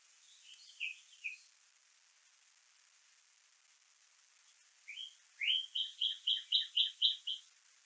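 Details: Eaglet of the Little Miami bald eagle nest, 11 May 2024, calling as a parent arrives with a fish. A few soft chirps, a quiet gap, then rising notes that break into a quick series of about eight shrill, evenly spaced piping chirps.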